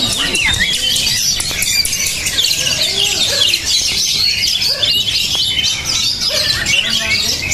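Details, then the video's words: Oriental magpie-robin described as high-emotion and tough, producing a thick flow of shrill twitters and scratchy notes. Scattered lower clucking and chattering sounds mix in beneath. "menjanjikan kacer beremosi tinggi dan bermental baja"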